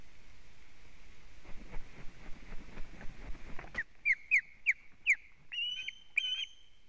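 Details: Osprey hovering over its nest, from a live nest camera in Latvia, 30 July 2017, morning; a series of short, sharp, rising whistled calls repeated about three times a second, after a stretch of steady background noise.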